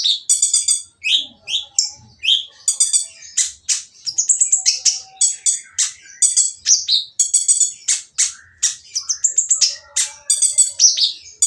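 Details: Rough, noisy oriental magpie-robin song meant to set other magpie-robins singing: rapid repeated high rasping notes, buzzy stacked rattles and short falling whistles in a continuous, energetic stream.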